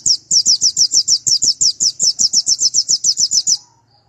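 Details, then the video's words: White-eye with an unusual voice said to rouse rival birds: a fast run of about twenty sharp, high chirped notes, evenly repeated for three and a half seconds, then silence. "Pleci nasional khusus G16 atau G20 suara aneh bikin lawan mletik"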